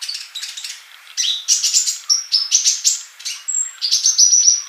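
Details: Vigorously singing sunbird, a master recording for training birds: rapid high chattering that opens into a run of bright, slightly descending whistled notes and ends in a sustained thin trill.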